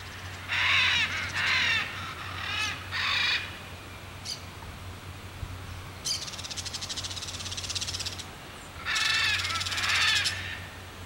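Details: Crested caracara, also called carcará or carancho, giving harsh, scratchy bursts in several separate bouts, some broken into fast rattling pulses, with quiet gaps between them and a low steady hum underneath.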